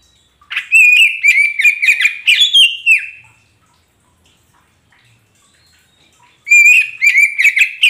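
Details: Kacer poci magpie robin singing as a lure so a silent caged bird joins in. One long run of fast, scratchy whistles that climb toward the end, then a pause and another energetic phrase.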